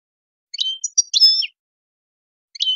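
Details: Wild European goldfinch song: a few short high twittering notes with tinkling slurred phrases, a pause, then one more brief chirp, in otherwise silent surroundings.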